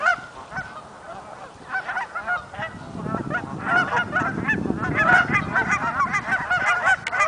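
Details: Migrating Canada geese calling as a flock: a dense mix of overlapping nasal honks that grows louder toward the end, over low rumbling background noise.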